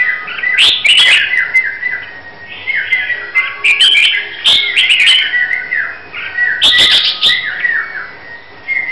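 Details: Red-whiskered bulbul from Hue, Vietnam, being prepared for a singing competition, delivers a loud run of rich whistled phrases with rising and falling notes, broken by sharp clicks and brief pauses, in near continuous bursts.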